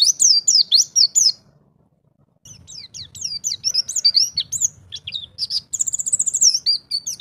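A white-eye sings a fast, high, twittering warble of varied chirps and trills, broken by a brief pause, then a rapid run of repeated notes.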